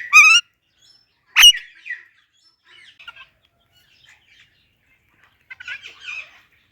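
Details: Pet ring-necked parakeet greeting an Alexandrine parakeet: a sharp wavering squeal, then a loud piercing note, followed by soft scattered chatter in a quiet room.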